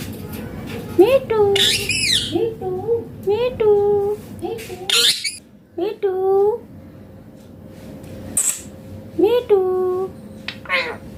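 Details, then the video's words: Indian Green Ringneck parrot talking in repeated short, voice-like phrases, each a quick rising note then a level tone. Sharp high squawks are mixed in. A quiet pause comes before the final phrases. "Indian Green Ringneck Parrot talking natural sounds/voices clear"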